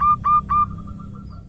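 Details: Female local zebra dove in the 'manja' rhythm, a lure and tutor recording: three smooth, fairly level cooing notes, the last trailing off into faint echoes over a low background hum.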